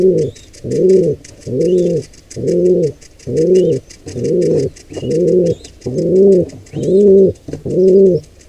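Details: Low, booming pigeon coos in a steady, regular run of about ten, as a wild intruder pair attacks a nestling squab; small birds chirp faintly in the background.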